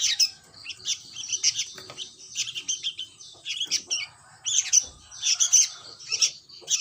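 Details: Sooty-headed bulbul chick calling in rapid, scratchy high chirps, grouped in irregular bursts with brief gaps, over a quiet background with faint low rumble.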